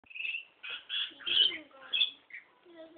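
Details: Parrots at Lake Conjola giving a run of harsh, chattering calls in short bursts, some screechy and rising, with brief gaps between; a person says goodbye just afterwards.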